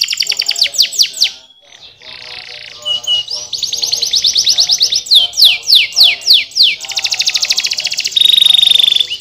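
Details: Singing canary delivering a string of sharp descending sweeps, a soft rolling trill, a louder fast trill, a series of loud slurred notes, then a high rapid buzzy trill.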